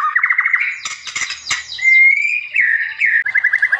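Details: White-rumped shama singing as a training master: a fast trill of repeated notes, a burst of harsh broadband chatter, then a clean rising whistle and another quick trill to close.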